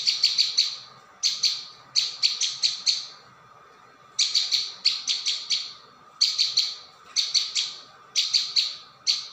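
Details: Lure recording of a prinia, played dense and without pause: rapid bursts of three to five sharp, high chips, the bursts repeated about every two seconds.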